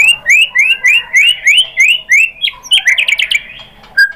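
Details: Lure song of a white-rumped shama, meant to provoke rival birds: a rapid run of rising whistled notes about five per second, then a faster, jumbled flurry of sharp chirps ending in a single clear note.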